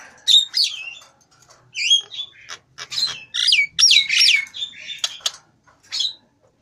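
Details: Nias hill myna with grey on its head, singing lively, gacor style, mixing loud whistles that slide downward with harsh, squawking phrases, delivered at roughly two to three per second with brief pauses.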